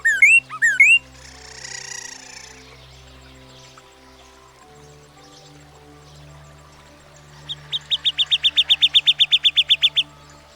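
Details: Northern Cardinal, a common American backyard bird, sings a few loud slurred whistles, then a fast run of about sixteen bright down-slurred notes, roughly four a second, with soft music underneath.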